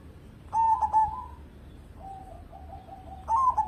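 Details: Local zebra dove singing energetically as a lure bird: a phrase of rapid clipped notes flowing into a soft coo, a lower steady drawn-out coo, then another stuttering phrase starting loud.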